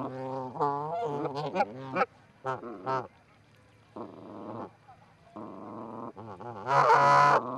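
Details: Livecam at a Charlo, Montana osprey nest, 4-7-18, where two Canada geese visit: clusters of quick honks, then longer buzzy calls between pauses, ending in a loud harsh honk.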